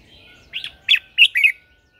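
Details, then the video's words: Red-whiskered bulbul, a lure bird singing in the morning to call wild birds and spur others into song: four loud, warbled, slurred notes in a quick run, each bending up and down, over a quiet background. "Luyện giọng cho chào mào hót sáng căng lửa kích chim mộc hót siêu hay, Chào mào mồi hót gọi bổi"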